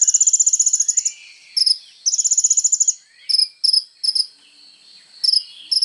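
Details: Sunbird in full vigorous song, recorded as training material for songbirds: long, very high, machine-gun trills alternating with short clipped bursts of two or three shrill notes and soft, lower, sliding twitters between phrases.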